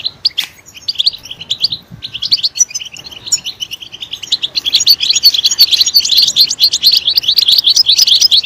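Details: European goldfinch singing: a few scattered high notes at first, then from about three seconds a dense, continuous twittering of quick, liquid chirps that grows louder toward the end.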